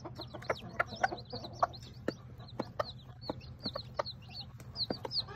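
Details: Ten baby chicks hatched by a tiny bantam Sebright hen that hid her eggs: a run of high, downward-arching peeps with sharp tapping clicks between them and a low steady hum underneath.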